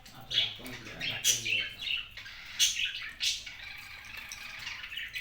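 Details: Cockatiel chirping in quick, bright, warbled notes, several loud accents spread over five seconds, with low human voice faintly underneath at the start.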